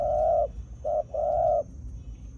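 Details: Spotted dove decoy calling wild birds in from the fields: a long rich coo, a short note, then another long sustained coo, loud and clear over low background rumble and a faint high whine.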